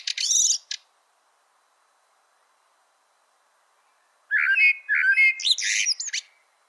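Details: Short high buzzy chatter, a long silence, then the melro preto blackbird's full phrase of fluty whistles mixed with harsh high rattles and sharp overtones.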